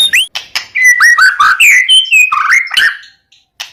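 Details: White-rumped shama singing to stir silent males into answering: a fast, varied phrase of slurred whistles that swoop up and down, with short sharp notes in between, then a brief pause and one last chip.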